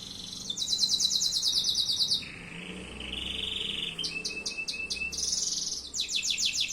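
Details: Canary in song, kept by an Indonesian bird hobbyist; high rapid trills alternate with steady flat whistled tones and clipped repeated notes, with faint low background hum.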